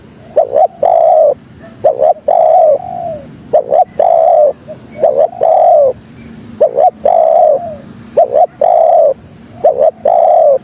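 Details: Spotted dove (tekukur) lure call, used to attract other doves and as a tutor recording: two short clipped coos, then a long, slightly falling coo, the phrase repeated roughly every two seconds over a steady high-pitched whine.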